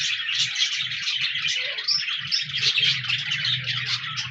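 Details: Budgies singing on 14 January 2024: thick, continuous high chatter of short chirps and a few clear whistled notes, over a low droning hum.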